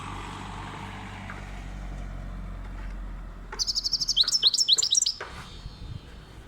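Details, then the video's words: European goldfinch, described as wild, breaks a quiet, hissy pause with a lively burst of rapid tinkling twitters and sharp liquid chirps lasting about a second and a half, then falls silent. "صوت الحسون روعة"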